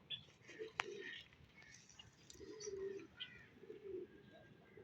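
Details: Pet pigeon at home in the morning giving low, soft cooing phrases, three drawn-out coos spaced over a few seconds, with scattered chirps of other small birds in the background.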